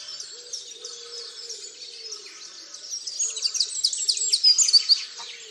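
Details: Dawn chorus at Tophill Low nature reserve near the main hide, 30 March 2019: many birds twittering and trilling together, growing louder midway, over a faint low droning hum.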